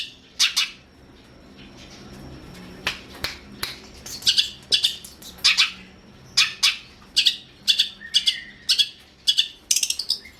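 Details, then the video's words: Masteran training recording of a long-tailed shrike: rasping, noisy squawks come in irregular clusters, sparse at first and then denser and faster toward the end, with a faint low hum underneath. "KICAUAN BURUNG CENDET"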